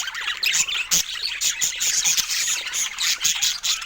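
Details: Lively budgerigar chatter, loud and shrill, made of rapid high twitters, squeaky notes and sharp clicks, rising and falling in bursts throughout.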